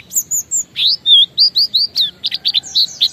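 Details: Oriental white-eye, ngalas-style lure song for other white-eyes: clear, loud whistled notes, first steady high tones, then a series of falling slurs and quick clipped chirps.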